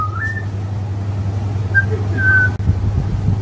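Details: A butcherbird perched on a stick in a garden sings a song to someone digging shallots, giving a few clear, fluted whistles, the first rising and the others short and level, over a steady low hum.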